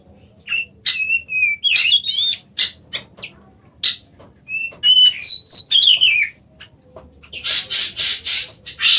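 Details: Kacer, the Oriental magpie-robin, sings clear whistled slurs and chirps, then switches to a run of loud, rasping bursts repeated rapidly.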